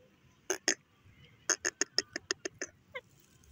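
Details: Grey francolin, known locally as teetar, giving two harsh rasping notes, then after a pause a rapid series of about nine clipped, scratchy notes, evenly paced and slowly fading, over a quiet background.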